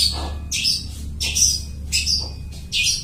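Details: Long-tailed shrike mimicking other birds as a trapping lure; four loud harsh squawky bursts about every 0.7 seconds, high-pitched, with a low steady hum beneath.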